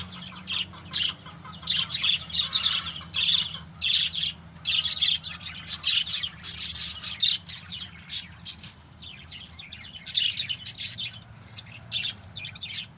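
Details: Pet lovebirds calling together: dense bursts of shrill, scratchy chirps and squeaks, coming in fast overlapping clusters with brief pauses between them.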